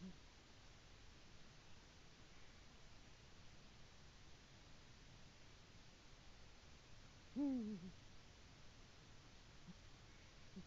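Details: On a nest camera on 22 February 2018, a male Eurasian eagle-owl reaches the nest and calls to his partner. One brief, deep hoot sounds after a long quiet stretch of faint background noise.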